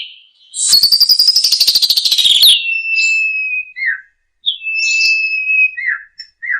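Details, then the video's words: Asian pied starling on a masteran tutoring track: a rapid pulsed, buzzy phrase, then long clear whistles and short chirped notes separated by brief pauses. "masteran jalak suren 1 menit langsung ikut bunyi ful isian mewah"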